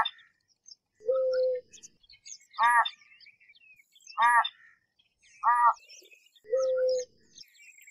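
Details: Three clipped, throaty honks from an American white ibis, evenly spaced about 1.5 seconds apart, framed by a steady held tone at the start and end.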